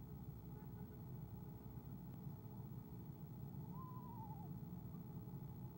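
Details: Soft trill from an Eastern screech-owl filmed by an owl cam on 17 February 2015 when the mate comes: one tremulous descending quaver near the end of the clip, set against constant low-pitched hum.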